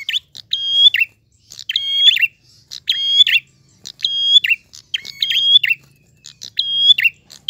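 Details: Gacor ngalun song of a prinia, clear in tone. Six or seven phrases come at roughly one-second intervals. Each is a short tick, a sustained steady piping note, then a quick rasping drop. A faint low hum sits underneath.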